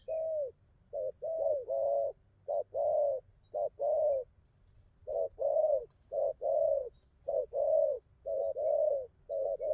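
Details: Spotted dove with a moderate neck collar of pearl spots, praised for its steady outer song and good cooing: low hollow coos in short and longer notes, repeated in quick paired bursts with brief pauses, about one per second, over a quiet background.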